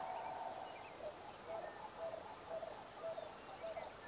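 Distant sandhill cranes give low, rolling, trumpeting notes, about two a second, over a steady outdoor hiss.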